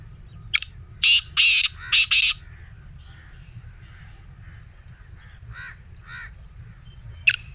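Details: Black francolin kept as a pet, calling to stir other caged francolins: one sharp note, then a burst of four rasping grating notes, followed by quieter distant chirps and a later sharp click amid low hum.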